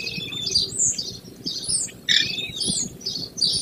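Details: American Kestrel pair nesting in a gravel-bottomed box on a barn near Prairie du Chien, Wisconsin, above rolling grassland, early morning, 28 May 2024; high, sharp chirping notes in uneven bursts, some sweeping downward, over a low rumbling background.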